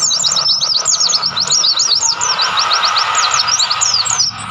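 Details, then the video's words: Mountain white-eye in the mountain wilds of Mount Lawu, Tawangmangu. An unbroken, bright, high-pitched twittering of rapid slurred notes, fading slightly at the end. A faint broadband hiss sits underneath. "pleci gacor gunung Lawu Tawangmangu"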